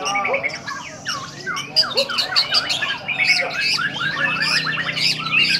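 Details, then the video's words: Tembakan song from a kept White-rumped Shama: dense, varied whistles, harsh squawks and quick downward-sweeping notes tumbling over one another, growing busier toward the end, with a steady low hum beneath. "Tembakan Murai Batu"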